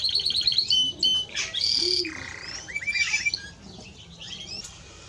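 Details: Timbrado Español canary song opening with fast repeated high notes and a bright whistled note, then fading into softer sweeping phrases.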